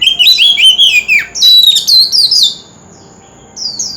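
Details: Wild-caught oriental magpie-robin singing to provoke other birds: loud, rapid warbled phrases of wavering whistles for two and a half seconds, then quiet with one short whistle near the end.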